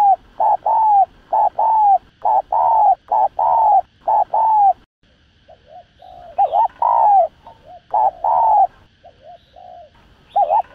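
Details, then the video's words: Cooing spotted dove used as a lure for trapping birds: a run of mellow low coos in quick doubled phrases, then a brief pause and further softer, broken coos mixed with fuller ones. "Tiếng Chim Cu Gáy Thúc Gù Cực Sung Kích Mồi Kích Bổi Cay Cú.cu đất, cu cườm gáy"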